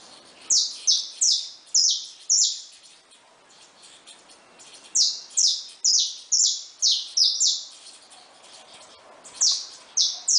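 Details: Singing joyfully in their cage, saffron finches with newly hatched young give several series of sharp, high, downward-slurred notes, five to seven per run, with short quiet spaces between the runs.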